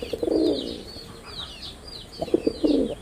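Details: Deep burbling coo from a performing male red-bordered wild pigeon, one long phrase then a stuttering second one after a pause, set against faint high sparrow-like chirps.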